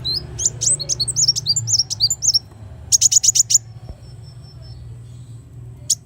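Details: Black sunbird singing: bursts of high, thin chirps and rapid twittering trills, then a quick run of five sharp notes near three seconds and a single chip at the end, over low background hum.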